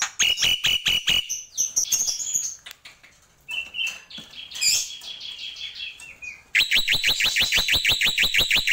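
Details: Black-winged myna (jalak pito, jalak putih) in a tembakan song. Five loud chattering notes open, then mixed whistles and warbles. It ends with a fast, even string of about fifteen sharp rising notes.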